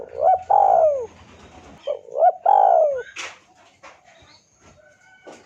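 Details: Spotted dove used as a lure to make a rival call back: two loud coo phrases in a row, each a quick rising note then a long hoarse coo falling away, followed by clicks and scuffing sounds.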